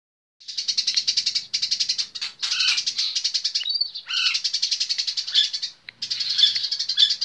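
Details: A pet Eurasian tree sparrow chatters almost without pause in a fighting-style tutor recording: a fast run of high, scratchy chirps with a few sharper notes mixed in, over a faint low hum.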